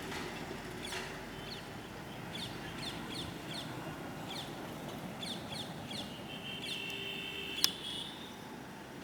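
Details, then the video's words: Rose-ringed parakeets in breeding season, searching for and making a nest on a tree; a series of short, sharp, downward-slurred calls repeated about twice a second, then a steady whistled tone, over a constant outdoor background hiss. "Indian Ring Neck Parrot Making Nest | Breeding Season | Parrot Mating Season"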